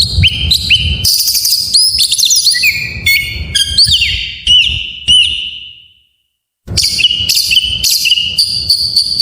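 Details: Magpie-robin song, full isian, meant to goad silent birds into singing: varied bright whistles, chattering slurs and falling notes for about five seconds, a fading pure whistle, a pause of under a second, then renewed busy whistling.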